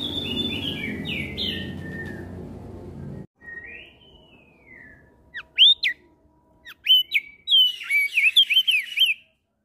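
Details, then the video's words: Ngeplong-style song of a Javan grey-throated white-eye trading calls with other birds; after a noisy start, a soft rising-falling whistle, then sharp, steeply swept whistled notes and a fast twisting phrase near the end. "Opior Jambul gacor Ngeplong Saling Bersahutan Dengan Burung Lain"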